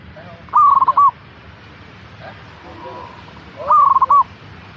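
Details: Caged local zebra dove song for prompting other doves to sing, suited to morning or afternoon; two quick rattling coo phrases about three seconds apart, with soft background cooing between them.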